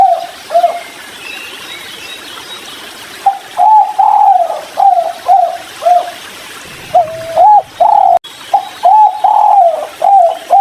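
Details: Spotted dove of kuk 3 type, taking water near a river, delivers repeated mellow coos in clustered phrases after a brief opening note pair, with a light watery background.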